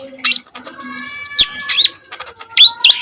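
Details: Common iora singing for use as a lure and tutor for kolibri ninja birds; steady whistled tones under bursts of rising, scratchy high notes and a brief sharp click.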